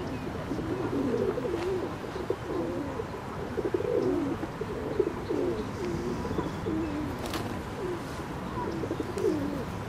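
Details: Ring-necked duck calling in a continuous series of low, wavering, nasal notes, one after another, over a constant murmur of background noise.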